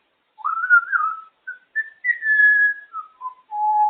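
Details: A pet African grey parrot, female, perched on her cage, whistles a continuous tune of sliding and held clear notes that rise then gradually step downward, loud and close in a quiet room.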